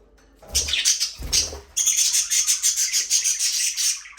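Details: Budgerigars in an aviary chatter nonstop: a dense, shrill twittering stream with rhythmic pulses several times a second, preceded by two dull thuds of movement.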